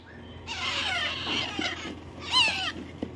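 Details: A white and yellow ring parrot chick, hand-raised as a pet, giving a harsh, raspy run of calls that rises into a louder squawk, with a faint low hum behind.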